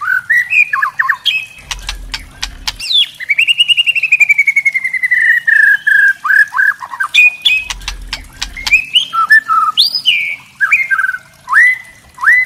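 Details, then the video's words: White-rumped shama (trotol murai batu) crackling call ("kretekan"): rich slurred whistles including one long falling note, broken by two bursts of dry, rapid crackling clicks between phrases; used to provoke other shamas. "kretekan murai trotol"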